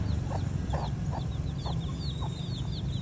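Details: Hen leading her chicks to food: short, low clucks repeated about every half second, over constant thin, high, downslurred peeps from the chicks and a steady low rumble.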